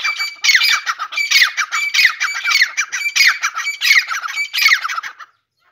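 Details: A grey francolin's morning call: a long series of about eight loud, harsh, ringing phrases in a steady rhythm, each slightly descending and rasping, ending sharply into quiet.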